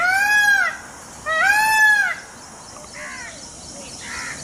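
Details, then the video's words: A peacock gives two loud, nasal, wailing calls, each under a second and rising then falling, followed by softer, shorter calls; Indian peafowl in a village setting. "Peacock Sound | मोर की आवाज"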